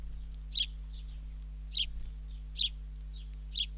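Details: A fledgling sparrow being fed by its father at Ram On, Israel gives four sharp, high, falling chirps about a second apart, over a steady low hum.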